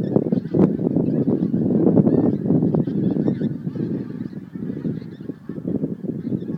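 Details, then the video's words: On 12 January 2011 geese leave Montrose Basin to feed, honking in a rapid overlapping stream, loudest early on and fading slightly as the flock moves off. "Montrose Basin Geese"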